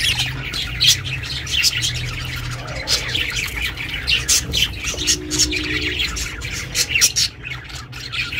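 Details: Budgerigar kept as a pet, chirping for the benefit of lonely budgies; busy stream of harsh, rasping chirps and short squawks in quick succession, with a constant low background hum.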